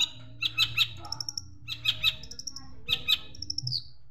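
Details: Long-tailed shrike singing a master song filled with house sparrow imitations, meant for training other birds: sharp chirps in quick clusters and thin high whistled notes in short runs, over a steady low hum.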